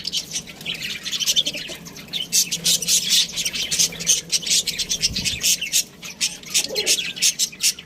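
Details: Budgerigar chirping in quick, repeated pulses of high, buzzy chatter, with a low thud midway and brief pauses between bursts.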